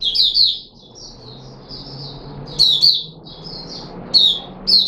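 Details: Puteh Raja red-whiskered bulbul, a kept bird recorded 13 April 2021 after being fed fruit juice and a mealworm. It gives a run of liquid, slurred whistled notes, then short bursts of bubbly phrases repeated about every second and a half over faint background hum.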